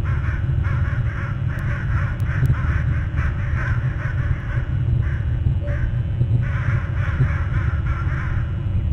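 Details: Crows agitated again and making loud noise near an eagle nest, heard live: dense overlapping harsh caws, several birds calling in quick irregular bursts for the whole stretch, with a constant deep rumbling background and a few sharp clicks.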